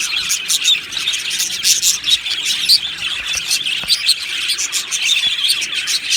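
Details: Aviary flock of happy budgies chattering constantly: many overlapping sharp chirps and buzzy twitters form an unbroken, bright chorus throughout.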